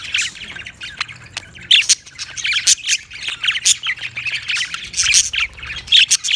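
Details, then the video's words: Budgerigar producing fast, busy chatter: high squawky chirps and clicks tumbling over one another, growing denser after the first two seconds. "Funny Budgie | Funny Budgies Sounds"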